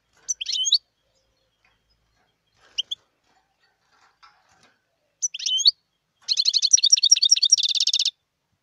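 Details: Wild European goldfinch singing clipped twittering phrases with rising slurs, separated by pauses. These build into a long, fast, rattling run of high metallic twitters lasting nearly two seconds.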